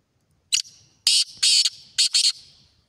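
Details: Black francolin call at close range: a short rasping note, then two longer grating notes, then two more in quick succession, all harsh and scratchy in a clipped, stuttering rhythm.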